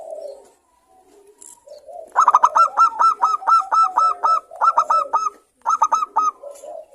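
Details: Local zebra doves calling back and forth in a busy chorus: after soft low coos comes a fast run of clipped, bright staccato notes, about four a second, in bursts split by short pauses.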